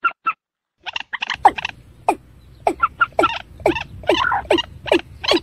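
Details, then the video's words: Watercock (ayam-ayaman), slow 'peruk' style: two brief clipped notes, a pause, then a building run of hollow, falling calls and quick higher notes over a low background hum. "Suara burung ayam ayaman vs peruk pelan"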